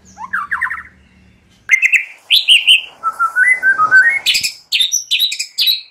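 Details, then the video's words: Morning lure song of a White-rumped shama: a rattling phrase, then loud varied whistles, a wandering warble and sharp high chipping notes, mixed fluty and harsh, in a quiet setting. "Hitungan DETIK SAJA Jadikan murai PAGI HARI Terpikat NGEPLONG dan GACOR"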